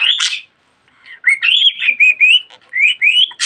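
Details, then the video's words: Pet budgerigar talking a lot: a harsh burst, a brief pause, then a run of rising whistled, speech-like syllables repeated at a quick, steady pace with scratchy clicks between. "Muhabbet Kuşu Çimen Çok Konuşuyor.~Budgie Grass Talks a Lot"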